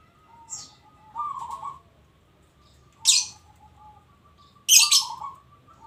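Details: Local zebra dove, described as an actively singing bird, giving two short warbled coo phrases at mid pitch, each overlaid by loud, sharp high chirps from another bird.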